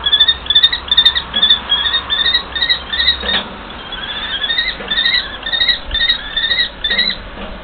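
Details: Common kestrels, a mated pair in a long exchange, giving rapid runs of sharp, thin, repeated kee notes, about two per second, in uneven bursts with short pauses.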